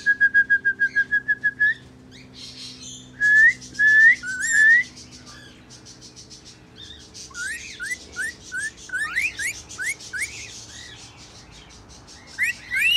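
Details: Rainbow lorikeet (Trichoglossus moluccanus) song: a quick string of about a dozen level whistles, then rising slurred whistles mixed with short buzzy, scratchy bursts.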